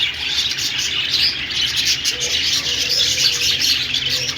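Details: Parakeet chirping from budgerigars: a thick, high, fizzing chatter of quick squeaks and tweets, steady in loudness, with faint low tones in the second half.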